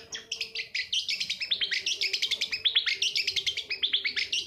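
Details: Long-tailed shrike lure meant to get lazy birds singing: a dense, rapid chatter of short bright notes strung into rolling, rising and falling phrases, with a faint steady hum below.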